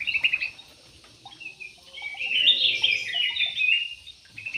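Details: Yellow-vented bulbuls kept in an aviary; a short bubbly phrase, then a longer, louder, tumbling warble of mixed chirps lasting about two seconds, with steady background hiss.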